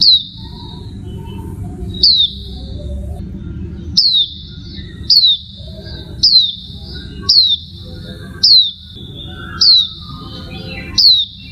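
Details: A female Oriental white-eye gives thin, high, downslurred single notes, about one a second and ten in a row, over a low background rumble.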